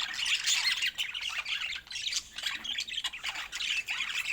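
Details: Pet budgerigars give busy, scratchy warbling chatter with quick clicks and chirps in short bursts, separated by brief dips.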